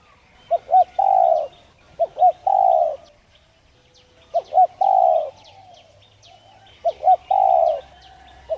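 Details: Spotted dove coo used to make doves call: three phrases, each a quick pair of rising notes then a long mellow held coo, separated by pauses of about 2 seconds. Faint twittering behind.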